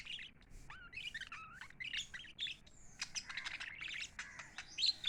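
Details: Chirping of happy pet lovebirds: looping whistled notes that dip and rise, quick twitters and a thin high whistle, layered from several birds, over faint hum.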